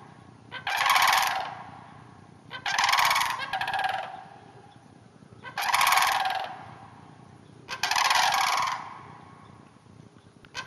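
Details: Wild sandhill cranes in a hayfield about half an hour north of the Twin Cities, giving loud rolling, rattling calls in four long bursts about two seconds apart, with soft low background rumble.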